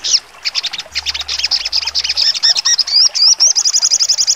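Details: High-pitched trotol song of a crimson sunbird (sogon), sharp 'nembak' style: jumbled thin chips build into rising slurred whistles, then settle into a quick steady trill of piercing repeated notes.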